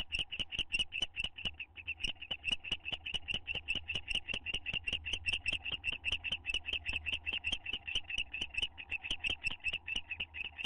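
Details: A pair of owls bonding in their nest box, recorded May 9, 2011; continuous rhythmic series of short, bright chirps at about two and a half per second, unbroken for the whole stretch, soft low hum behind.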